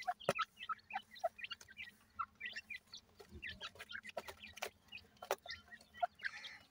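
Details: Grey francolin (Dakhni teetar) chicks just out of the egg: clear, thin single peeps repeated irregularly about twice a second, some slightly rising, over a low hum with occasional taps and rustles.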